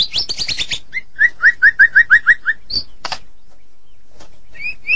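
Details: Medan-variety White-rumped shama: a quick descending scatter of high notes, then seven evenly spaced whistled chirps, a harsh rasp, near silence, and a couple of high whistles.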